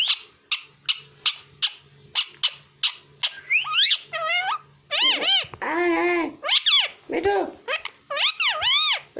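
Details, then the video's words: ['Talking pet parrot, said to speak Hindi: a series of short, evenly spaced clicks or taps, then longer speech-like syllables with arching pitch and harmonics.'] "Parrot Talking| Einstein My Cutest Hindi Speaking And Talking Parrot"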